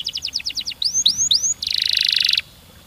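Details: Canary song in the long, rapid, tightly packed rolling style: a string of six quick clipped notes, three upswept whistles, then a buzzy pulsing roll lasting nearly a second before silence.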